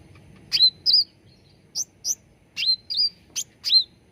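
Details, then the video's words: Cucak ranting bulbul, recorded as a lure and training sound to get caged birds singing. Short bright whistled notes with quick upward hooks and sharp chirps, in bursts separated by brief pauses. Background is quiet. "SUARA PANCINGAN CUCAK RANTING BAHAN AGAR CEPAT GACOR || MASTERAN CUCAK RANTING"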